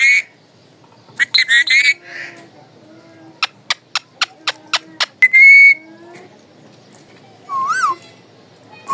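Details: Pet parrot giving its raw calling voice at home: loud harsh squawks with strong harmonics, a run of sharp evenly spaced clicks, then a bright rising whistle and a wavering warbled note near the end, with quiet gaps between.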